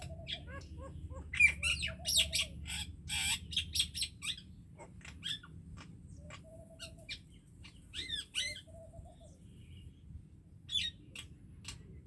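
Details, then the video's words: Common myna in varied chattering song: rapid clicks, squawks and rasping bursts, then sparse chirps and short whistles over a faint low hum, with pauses between phrases. "MYNA BIRD SONG / MYNA BIRD SOUND /MYNAH BIRD SINGING"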